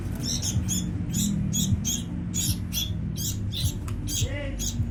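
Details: Sooty-headed bulbul nestlings begging as they are fed: insistent, rasping high-pitched bursts in quick succession, several per second, with a low continuous hum and a brief rising squeak near the end.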